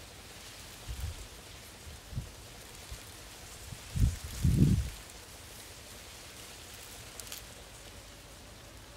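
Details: Low muffled thumps and rustling bumps over a quiet background hiss, with no clear animal voices.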